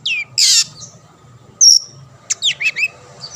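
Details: Vocal long-tailed shrike whose song is used to goad rival shrikes into singing: a rasping burst, a thin high whistle, then a quick cluster of slurred whistled notes, over a low steady hum.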